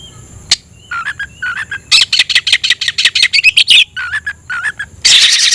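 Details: Caged oriental magpie-robin calling a rival to fight in song: repeated low whistled notes, then a fast series of sharp chips, more whistled notes, and a closing harsh buzzy burst.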